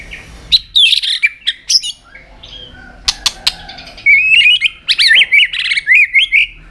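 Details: White-rumped shama in fighting song with tail flicking, used to excite young birds: short bright notes and sharp clicks, then a fast run of warbling, looping whistles in the second half.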